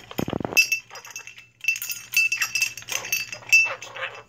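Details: Indoor pet blue-crowned conure in a noisy fit: a short low burst opens, then thin, high, clinking squeaks and sharp whistled notes come in scattered, uneven bursts with short pauses between them.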